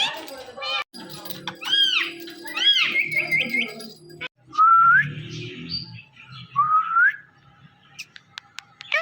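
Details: Hand-tame pet parrot talking and dancing: arching squawky notes and a buzzy phrase, a pause, then two separate upward-sliding whistles, with soft background rumble.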